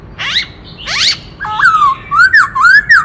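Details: White-cheeked laughingthrush, a forest laughingthrush singing a song meant to stir up males: two harsh buzzy bursts, then a run of clear whistled notes that dip and rise, delivered almost twice a second.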